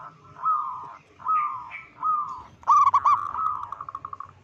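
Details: Loud local zebra dove calling to unsettle other zebra doves: three smooth, slightly falling coos, then a burst of rapid clipped notes that trails into a soft trill.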